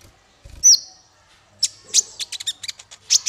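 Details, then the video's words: Male olive-backed sunbird voiced as a tutor recording for training songbirds: one sharp, thin whistle, a pause, then a run of high, brisk chirps and ticks that grow quicker and louder near the end. "Suara konin untuk masteran burung"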